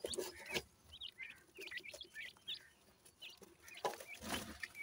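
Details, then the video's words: Quieter calling of new dakhni teetar francolin chicks: clear short high chirps, some rising, some falling, spaced irregularly, broken by a few loud broadband knocks. "beautifull new jora dakhni teetar chicks,sindhi teetar ki voice"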